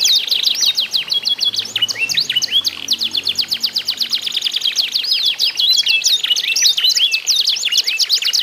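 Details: Singing contest of canaries, used to prompt other canaries to sing. Quick repeated chirps form rolling trills, with curling whistled notes mixed in and a faint low hum early on.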